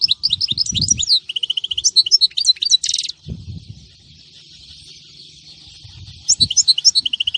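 European goldfinch song: rapid, bright twittering phrases with liquid trills and buzzy notes, pausing briefly mid-clip before resuming, with low background rumble.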